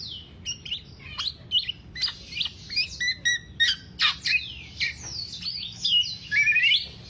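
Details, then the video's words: Black-naped oriole in non-stop 'teler' singing, meant to stimulate and tutor other kept birds: quick phrases of bright chirps, slurred whistles and squeaky notes in spaced bursts, ending in a longer rising-falling warble, faint hum behind. "Kepodang Podang kicau sampe telerrr"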